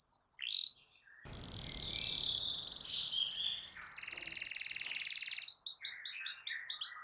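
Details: Canary master song to stimulate a silent canary: a brief falling whistle, a noisy gap, then long buzzy rolling trills, finishing with clear repeated arched notes.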